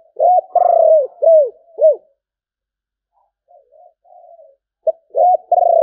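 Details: Spotted dove giving sấm bầu style cooing: a run of deep, rounded coos that fall at the end, a quiet pause with soft low murmurs, then a new phrase beginning.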